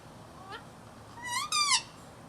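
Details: A female parrot chatters to her own reflection: a short rising squawk, then a louder, drawn-out harmonic screech that climbs and falls, ending in a rough burst. No other clear sounds.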